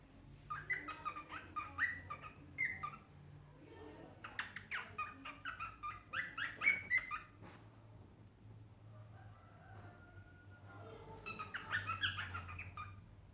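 A cockatiel sings in bursts of bright chirps and short whistled notes, pausing between phrases.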